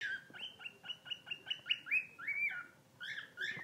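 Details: Rescued pet bird sings guinea pig-style squeaks: a quick run of short, evenly spaced chirps that grow louder, then longer arched whistles and a final pair of bright chirps.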